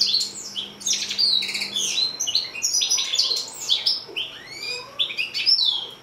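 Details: Continuous high, fast warbling from a six-month-old European goldfinch × canary hybrid, mixing chirps, buzzy rattles and drawn-out downslurred whistles without a break.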